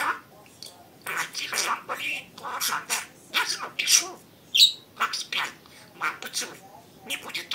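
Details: Pet budgerigar talking: rapid, high, breathy speech-like phrases in short bursts, broken by brief squeaks and chirps.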